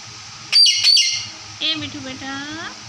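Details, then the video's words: Talking parrot gives two loud, harsh, high squawks, then a short run of wavering, speech-like voiced phrases with rising and falling tones. "bolne wala tota"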